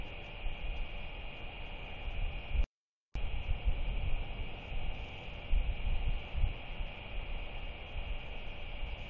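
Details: Low rumbling wind and steady hum fill the recording, with a brief dropout and no animal calls.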